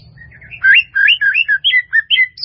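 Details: White-rumped shama melodious song in a full-fill training recording: a string of clear whistled notes, slurred up and down, about eight phrases in quick succession after a soft start, over a faint low hum.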